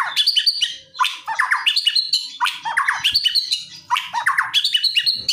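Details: Aggressive white-rumped shama song used to provoke another shama to respond: dense, rapid phrases of high whistles and harsh descending slurs, repeated roughly every second and a half with little pause.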